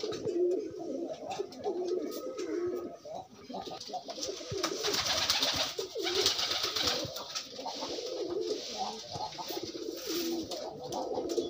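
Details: Free pigeons courting and pairing. Continuous low burbling coos overlap over a hissy background with shuffling and tapping sounds.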